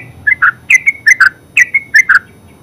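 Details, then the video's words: Short burst of ngeropel-style song from a yellow-vented bulbul, or terucuk: paired, bubbly chirps with brief whistled glides between them, delivered in quick clusters. "Terucuk full suara ngeropel"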